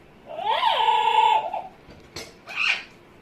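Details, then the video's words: Pet Amazon parrot making funny noises: a long, rising then steady whistled note with a bent start, lasting over a second, followed by a click and a short harsh squawk. "Hecko is making funny noises."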